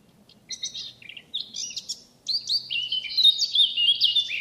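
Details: Free-living Eurasian blackcap from France in full song, a fast tumbling stream of clear whistles and twittering notes building into a loud, rich warble that continues to the end.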